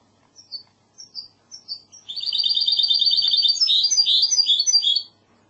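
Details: Classic Andalusian song from a goldfinch hybrid, a caged mixto: five or six separate thin descending notes, then a sustained rapid metallic trill that gives way to warbled chirps.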